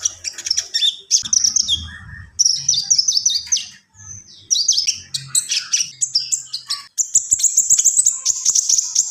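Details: Long, dense full song of a Javan pied starling: continuous shrill whistles, buzzy chatter and rapid trills with brief gaps, over a low background hum.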